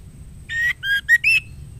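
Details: A female white-rumped shama calls the male with four clear whistled notes in quick succession, the first and last sliding upward, the middle two lower and shorter.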